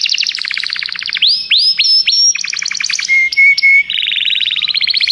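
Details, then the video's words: Common canary song shifting between rapid trills, rising whistled sweeps, steady pure whistles and a final buzzy rolling trill. "Canários cantam"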